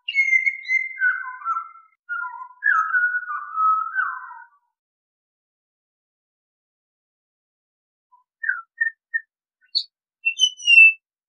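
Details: Melodic whistled phrase from a Pied Butcherbird, descending flute-like notes over four seconds, then after a silence a scatter of brief high piping notes and a final thin rising whistle.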